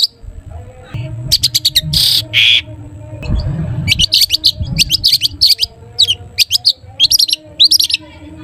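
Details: Long-tailed shrike giving its "toet toet" song, meant to prompt other shrikes to sing: quick series of sharp high clicks and harsh notes in short rapid runs, separated by brief gaps, over a low background hum.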